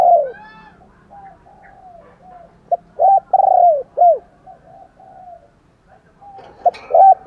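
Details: Fight-provoking and morning calling coos of spotted doves. Soft far coos build into a cluster of loud, low, hollow notes mid-phrase, and a short loud pair of notes comes at the close.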